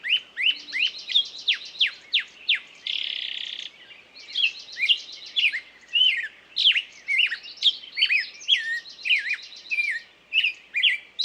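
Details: Busy bird song: rapid, repeated downslurred whistles and chattering notes, with a brief harsh buzzy stretch early on and a continuous high trill behind.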